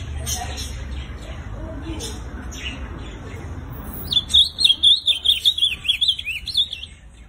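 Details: A captive ultramarine grosbeak in Campo Grande, Rio de Janeiro, gives a quick, sweet warbled phrase of clear rising and falling notes over a low background hum and faint chirps.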